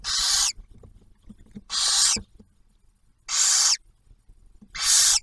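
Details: Barn owls at a nest camera on Ottawa National Wildlife Refuge near Oak Harbor, Ohio, while the male delivers food and the female feeds the first owlet to hatch; four harsh, breathy hissing screeches, each about half a second, spaced roughly 1.5 seconds apart.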